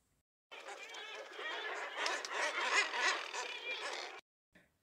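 Common Murres give a dense, roaring chorus of harsh, growling calls that overlap for about four seconds, like a crowded seabird colony.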